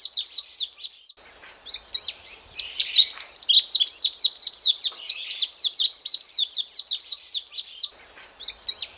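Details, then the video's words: Lowland white-eyes (Zosterops meyeni) give a busy stream of thin, high chirps and twittering notes, several birds overlapping almost continuously, with a steady high background hiss. "巴丹綠繡眼/Lowland White-eye"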